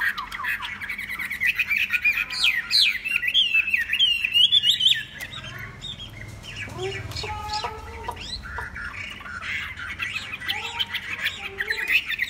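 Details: A tame Chinese hwamei sings a loud, rapid stream of varied whistles, slurred rising and falling phrases, and brief runs of repeated ringing notes, with no pauses.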